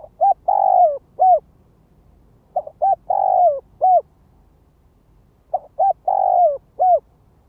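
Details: Decoy spotted dove used as a lure bird, calling in the gáy gọi, thúc and kích bổi styles; low mellow cooing phrases of a short note, a long drawn falling coo and a short note, repeated about every three seconds, quiet background.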